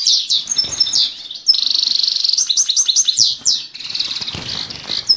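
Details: Male Himalayan goldfinch singing to the female, a dense stream of high twittering notes, buzzy trills and quick rising and falling chirps delivered almost without pause.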